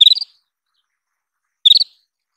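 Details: Two crisp, rapid chirp bursts from an Isabelline wheatear, each a tight run of four or five sharp high notes, separated by a pause of about one and a half seconds, against a silent background.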